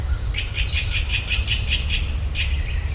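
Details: Birdsong recorded in rural Virginia with a stereo pair of ultrasonic microphones: a quick series of about ten bright, chirped notes in an even rhythm, then a short pause and two more, over a steady low rumble.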